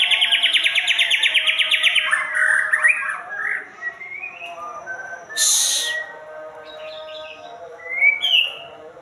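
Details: White-rumped shama opening with a fast, even trill of about fifteen notes, then varied warbles and upward-sliding whistles, interrupted midway by a loud harsh rasp.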